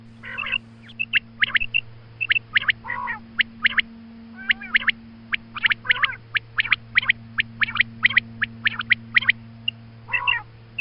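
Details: A female quail calls in the morning, a recording meant for quail hunting: dense runs of sharp, clicking notes in rapid, uneven bursts, broken by a few nasal, harmonic calls, over a steady background hum.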